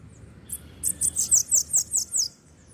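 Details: A pet Bananaquit named Foguinho sings near its owner's finger, a quick run of about eight very high, thin, sibilant downslurred notes at four or five per second over a faint low hum.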